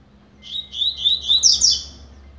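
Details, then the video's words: Double-collared seedeater starting to warm up its song: a series of slurred whistled notes that climbs into a rapid, buzzy, high trill near the end, lasting about a second and a half, with faint low hum behind. "COLEIRO BLADE COMEÇANDO ESQUENTAR"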